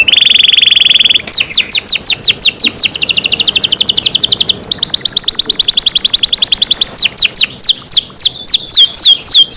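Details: Loud canary song opening with a steady buzzy roll, then long unbroken runs of quick down-slurred whistles, a rapid trill section, and slower spaced slurs toward the end.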